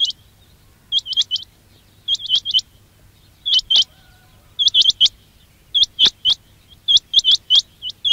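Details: Quail sound for trapping: clusters of two to four sharp rising whistled notes, delivered in rapid bursts with short gaps and growing denser toward the end.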